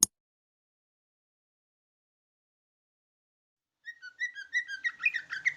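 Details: Large leafbird in chattering song, mimicking a yellow-vented bulbul: after about four seconds of silence, quick clear whistled notes rise into a fast, dense jumble of varied twitters.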